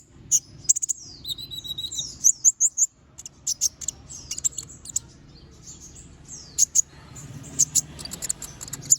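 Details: Little spiderhunter (konin), an actively singing bird, delivering sharp, high chirps and thin whistled slurs, some falling, in scattered bursts with a soft low hum beneath.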